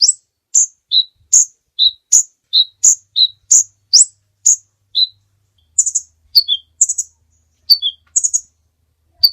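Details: Kolibri ninja sunbird singing persistently as a long tutor recording for training other songbirds: sharp high chirps alternating between upper and lower notes, repeated about every half second, then a few shorter paired phrases, with no other sounds.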